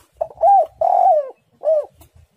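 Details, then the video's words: One close spotted dove phrase in lively, tight-pressed song: a short lead note, a quick rising coo, a long wavering mellow coo, then a final rounded coo, all clear against silence. "tekukur super gacor suara menekan rapat"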